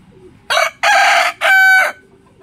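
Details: Rooster crowing in the morning: a loud three-part crow, with a short first note, a broken middle note and a long, steady, harmonic final note, over a quiet background.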